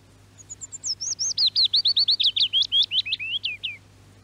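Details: Summer song of a willow warbler in Norway, archive radio recording: about two dozen clear whistled notes run down in a gentle falling scale over roughly three seconds, the final notes fuller and slurred, over a faint background hum.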